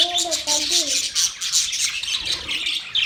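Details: A group of pet budgies keeps up continuous high chirping and warbling, while a low, sliding, tonal voice-like sound runs beneath during the first second.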